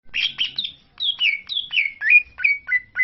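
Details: Greater green leafbird singing in Lombok, used as a lure to provoke other leafbirds into song: clear whistled notes, slurred and falling, delivered in quick uneven phrases about once a second, with faint low hum behind.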